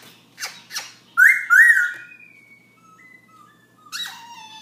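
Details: At night, 11 pm, a Black-throated laughingthrush gives two faint clicks, then a loud wavering whistle that trails into thin, level, fading tones, followed by a last rising note.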